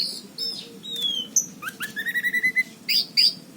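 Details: Actively singing orange-headed thrush, Cirebon, 2019: soft descending whistles, then a quick run of eight evenly spaced bright notes, ending with two loud, high, ringing chirps.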